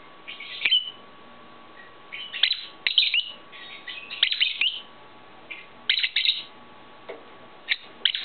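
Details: Pet-shop lovebirds, one with clipped wings that still tries to fly; bursts of shrill squeaky chirps and chattering calls in short clusters separated by quiet gaps, with a steady low hum behind.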